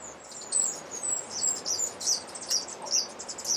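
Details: Blue-grey tanager (Thraupis episcopus) calling in Alambi Cloud Forest Reserve, Ecuador, in May 2012: thin, very high squeaky notes, about two per second, over faint background hiss.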